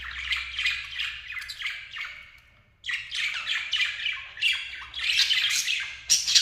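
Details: A pair of lovebirds chatters in shrill, squeaky, high chirps and harsh squawks, delivered in quick overlapping bursts with a short lull partway through before the noisy chatter resumes.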